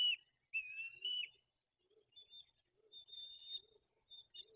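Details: White-tailed eagles at a Bory Tucholskie nest in Poland during feeding of two chicks with fish, the older chick acting aggressively; one loud, high, whistled note with bright overtones, followed by faint, scattered, thin whistles and low soft sounds.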